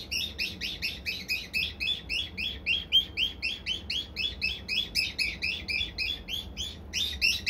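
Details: A cockatiel, an old pet bird, angrily scolding a box: a steady, unbroken run of harsh, high chirps at about four per second, lasting several seconds.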